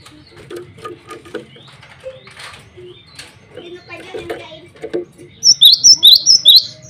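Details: Male cinereous tit calling rivals and females: after several seconds of soft mixed chatter and murmuring, a loud burst of high, ringing two-note whistles repeated rapidly closes the passage.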